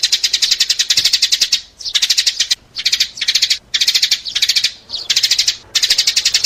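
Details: Sparrow call used to lure sparrows: loud, high, rapid chirps run together in dense bursts of under a second, separated by brief silent gaps, about seven bursts in succession with no other sounds.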